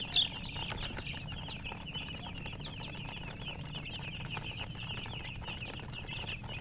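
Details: Chicken chicks peeping constantly: many thin, high, rising chirps overlap in a dense, busy chorus over a steady low hum.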